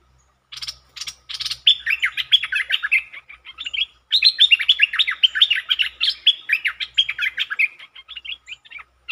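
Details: Lure streak-eared bulbul performing several song styles, including long and doubled songs, recorded 13 February 2023. A few sharp clicks lead into two long, rapid runs of bubbly, warbled notes that rise and fall, with a brief pause between them.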